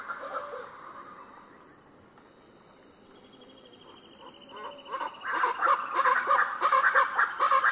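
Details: Before dawn on Foengoe Island, Suriname, Variable Chachalacas burst into a loud, harsh, rhythmic chorus after a quieter start with a faint insect buzz, the grating notes building steadily in volume.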